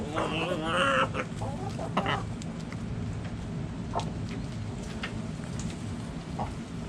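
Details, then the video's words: Backyard chickens: one loud, wavering, harmonic squawk about a second long opens, followed by scattered short clucks and clicks over a steady low background rumble. "Backyard Chickens Relaxing Sounds Noises Video Hens Clucking Roosters Crowing!"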